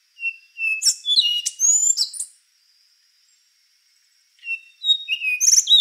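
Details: Endangered rufous-brown solitaire giving a high whistled phrase of steady tones and sharp slurred notes, then a pause of about two seconds before another phrase starts with clear flute-like whistles.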